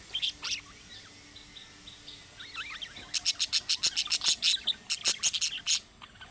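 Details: Budgerigar calls said to trigger replies from other budgerigars, after chick calling chirps: a few sliding chirps, then a rapid series of sharp clicking notes, about fifteen in three seconds.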